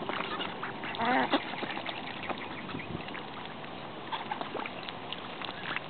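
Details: Ducks at a pond give a burst of loud, harsh quacking near the start, then scattered shorter quacks and calls over steady splashing and water noise.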